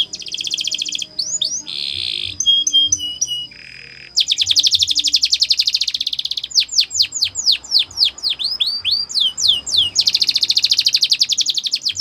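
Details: Canary singing a training song with dense buzzy trill blocks, brief chirps and a held whistled tone, then a run of rapid downward-sweeping notes leading into a fast rolling trill.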